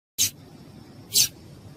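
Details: Female papa-capim seedeater calling to excite males, a call bird keepers use to warm up singers for tournaments; two short, sharp, high chips about one second apart over a quiet hiss.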